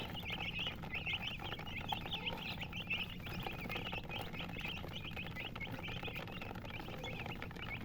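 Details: Many colored chickens peep at once: quick high chirps with up-and-down slurs repeat densely throughout, above a low background rumble.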